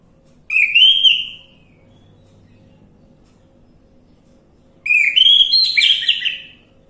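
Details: Orange-headed thrush song played to coax a stalled bird into singing: two bright whistled phrases about four seconds apart. The second phrase is longer and more varied, with rising and falling notes.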